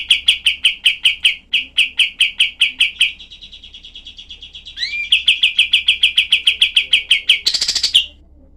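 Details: Cream-vented bulbul (kapas tembak) in a tutor recording for training other songbirds, with rough 'shot' variations. Rapid, sharp repeated notes, then a softer, quieter run, a rising slurred note, more fast notes, and a harsh buzzy burst near the end.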